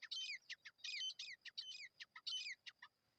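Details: Partridge (teetar) call used for attracting partridges when hunting: rapid bursts of shrill, chirpy notes with quick downward-sweeping slurs, grouped in clusters across three seconds over a quiet background.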